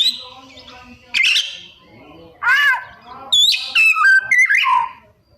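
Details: Oriental magpie-robin in energetic 'isian' mimicry: a soft high note, a buzzy burst, a loud arched harsh call, then a quick run of stepped whistles falling away.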